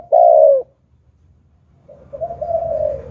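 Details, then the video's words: Spotted dove, a decoy bird of the Hạp Bổi voice style used to lure wild doves, giving a loud steady low coo followed after a pause by a softer, longer drawn-out coo. "Chim Cu Gáy Giọng Hạp Bổi - Kích Là Gáy 100% -Tiếng Cu Gáy Kích Mồi"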